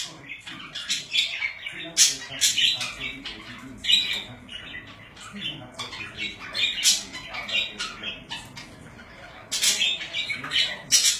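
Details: Pet budgerigars chattering indoors, a dense stream of harsh, scratchy squawks and buzzy chirps in quick irregular bursts, with louder rasping notes around two, four and seven seconds.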